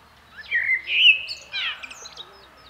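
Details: Blackbird phrase of rich, mellow whistles that slide upward and hold, followed by a short burst of squeaky, high twitters, the bird loud and close against a quiet backdrop.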